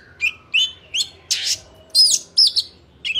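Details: Oriental magpie-robin with a wild-type song, recording used to train young birds, sings a quick run of short, bright whistled phrases, about two per second, with one harsh scratchy burst in the middle, over a faint low hum.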